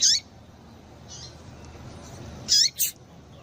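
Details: Female double-collared seedeater calling to warm up males, tui tui style. Brief, very high chirps with quick sweeping inflections: one at the start, a fainter note just after one second, then a close pair near the end, over a quiet background.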